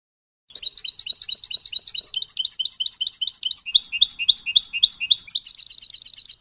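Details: European goldfinch song from a 30-minute tutoring recording for teaching young goldfinches: a fast, continuous run of bright, liquid twitters and tinkling high notes, tumbling on without pause and growing denser toward the end.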